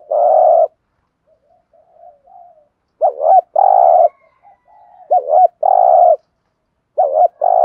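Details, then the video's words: Low cooing from a spotted dove in thúc gù fashion, used to rouse and train decoy birds: one long coo, soft faint murmurs, then two phrases of a wavering double note followed by a steady coo. "Tiếng chim cu gáy thúc gù bài bản dùng kích bổi và tập mồi hiệu quả"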